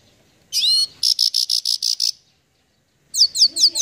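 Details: Goldfinch song: a high twittering sweep, then a fast even series of about eight short bright notes, and after a pause a run of quick downslurred chirps.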